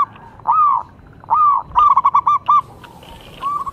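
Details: Local zebra dove performing: two drawn-out, arching coos followed by a rapid chain of short clipped coos, then a final rising coo after a pause.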